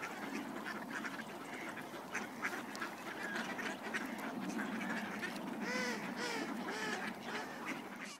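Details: Ducks crowding to be fed in snowy Cuerden Valley Park; a noisy, murmuring background gives way near the end to a run of loud, nasal, downslurred quacks repeated in quick succession.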